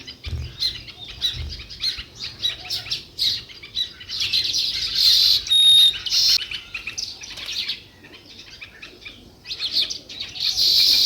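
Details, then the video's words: Natural sparrow sounds: scattered sharp chirps at an uneven pace, building to a loud cluster of tweets midway, a quieter lull, then renewed chirping at the end. "Natural Sparrow View and Sounds | Chirping Sounds"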